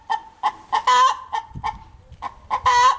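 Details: Shortly after laying an egg, a hen perched in an apple tree cackles: evenly spaced sharp clucks followed by two long, harsh, upward-bending squawks, the pattern repeating across three seconds.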